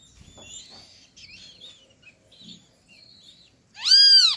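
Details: At a feeder in an acerola tree where a great kiskadee family feeds, soft scattered chirps and clicks lead to one loud, harsh, down-curving call rich in overtones at the end.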